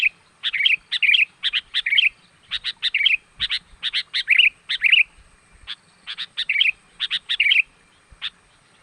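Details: Lure call of sooty-headed bulbul meant to attract wild birds: dense runs of clipped high chirps alternating with bubbly slurred warbles, delivered energetically and almost continuously.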